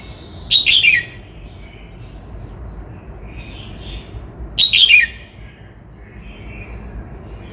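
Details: Vietnamese red-whiskered bulbul from Cao Bằng repeating a crisp warbled phrase twice, about four seconds apart. Each phrase is rapid and slightly descending, with soft distant chirps in between.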